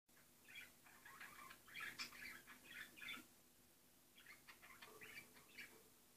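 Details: A female budgerigar entering its nest box gives soft, scratchy chattering calls in two quick bursts over a faint steady hum.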